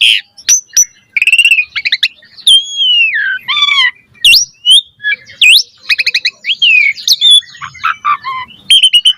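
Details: Long varied song of an Asian pied starling, used as a bird training recording: dense mix of squeaky whistles, rapid rattling bursts, downslurred and upslurred notes, with almost no pauses over nine seconds.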